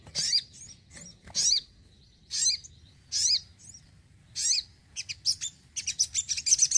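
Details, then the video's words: Actively singing crimson sunbird kept in a home: loud, high, scratchy chirps about every second, ending in a quick burst of sharp, rapid high ticks. "SOGON GACOR RUMAHAN"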